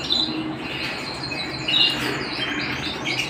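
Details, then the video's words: Indoor canary song made of quick chirps and short rolled trills, broken by a couple of louder whistled notes partway through. "canary singing at home"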